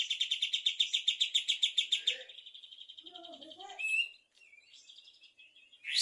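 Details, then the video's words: Kapas tembak bulbul in energetic afternoon song, opening with a fast trill of identical high notes, about four per second, for two seconds, then a rising whistle and scattered short chirps. "Burung Kapas tembak gacor di sore hari"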